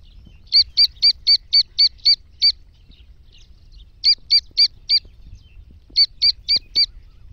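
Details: Black francolin of an Iranian type, said to be a female calling excitedly and a chick. Sharp, even, high-pitched whistles come in runs of seven, five and four, about four per second, over a faint low rumble.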